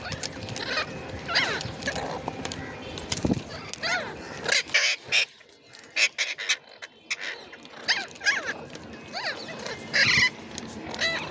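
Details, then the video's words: A rose-ringed (ringneck) parakeet gives a run of quick, rasping, rising-and-falling calls and chatter, some almost voice-like, over a noisy background with clicks and bumps. "Ringneck Parrot"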